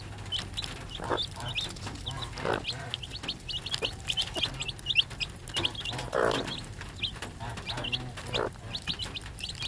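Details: Mother hen with her three-day-old chicks: many short high peeping chirps repeated rapidly throughout, with occasional low clucks from the hen underneath.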